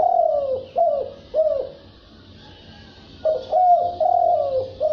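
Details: Rhythmic spotted dove cooing in thúc bổi style: three quick downward-sliding coos, a two-second pause, then a longer run of drawn-out mellow notes.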